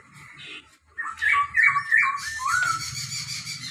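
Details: Singing Chinese hwamei, white-cheeked and grey-cheeked birds compared, pours out a varied run of warbled, slurred whistled phrases, then a harsher buzzy stretch, with steady low hum in the background.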